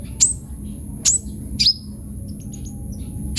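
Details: Kolibri ninja sunbird singing energetically with full varied phrases, used as a lure and as a tutor song for other birds: three sharp, very high downslurred chirps at uneven intervals, then faint high ticking notes over a low steady rumble.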